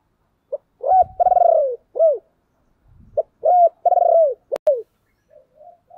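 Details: Decoy spotted dove calling to lure wild doves: two coo phrases, each a short note, a rolling buzzy coo, then one or two falling notes, mid-pitched; a sharp click near the end.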